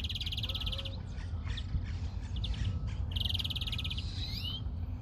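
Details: European greenfinches being tested: two long buzzy trills a few seconds apart, with soft twittering between them and a brief rising whistle at the end, over low background noise.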